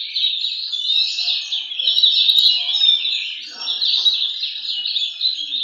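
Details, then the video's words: Continuous, fast, high warbling from an Oriental magpie-robin at a singing contest, a steady stream of twittering notes with no pauses and faint background sounds. "kontes burung Kacer"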